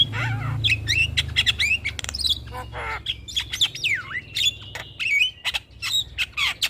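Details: Black-winged myna song played as a lure to stimulate stressed birds that have stopped singing: a mix of harsh squawks, sharp clicks, rising and falling whistles and a sustained high whistle, with a faint low hum beneath.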